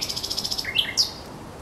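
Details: Brief fragment of thrush nightingale song at the Żerań Canal, 24 April 2022: a fast series of high ticks, then a rising whistle and a sharp high note.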